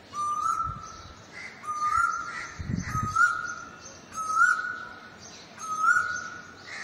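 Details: Asian koel giving its 'koo' call: a clear whistled note that rises and repeats five times, about every 1.4 seconds, with faint low thumps underneath.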